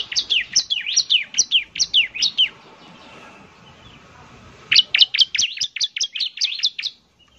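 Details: Lure song of a bar-winged prinia, semi-active singer: a rapid run of sharp falling chirps for over two seconds, a pause, then another fast series of bright repeated notes.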